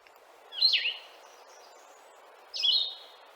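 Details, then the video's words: Blue-headed vireo, a sadder and slower song with longer pauses: two slurred whistled phrases, each dipping then rising, spaced about two seconds apart over a soft background hiss. "And then the blue-headed vireo, the sadder, longer pause, slower song."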